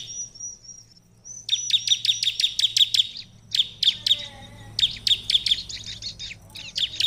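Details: A thin, steady high whistle opens this prinia song, used to stir other ciblek into reply. It gives way to rapid, sharp chirps in repeated bursts over a low hum.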